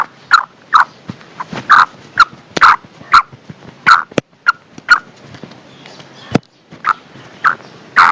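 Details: Female black francolin calling to attract a male: short, harsh, mid-pitched notes repeated at uneven intervals roughly every half second, with occasional clicks and knocks in between.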